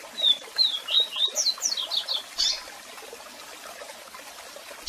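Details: Double-collared seedeater giving a strong song with calls for song training, over waterfall noise: a smooth high whistle leads into a quick accelerating series of slurred descending notes ending in a harsh burst, then rushing water alone.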